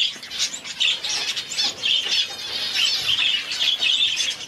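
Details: Two-day-old star finch chick begging: a dense, continuous run of high, hissy, buzzy squeaks that pulse unevenly without any real pause, with faint rustling underneath.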